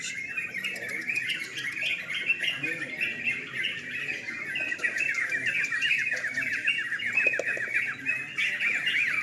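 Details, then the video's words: Several sooty-headed bulbuls competing in a singing contest at night, pouring out rapid, busy, rising-and-falling chattering phrases without pause, with a few sharp clicks and faint human voices in the background. "Lomba burung trucukan"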